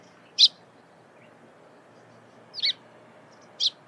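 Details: Morning calls of a Eurasian tree sparrow: three sharp, high chirps spaced apart, one given as a quick double note, in otherwise calm surroundings.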